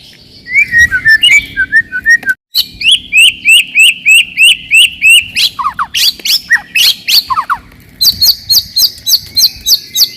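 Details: Fighting-style white-rumped shama song to provoke rivals: a warbled phrase, then long trains of rapid rising chirps and falling notes delivered densely at about three per second.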